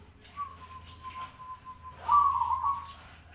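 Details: Zebra dove, sung for contests and daily enjoyment: a thin, steady whistle-like tone runs for about a second and a half, then a louder, rolling trilled coo follows after a brief gap.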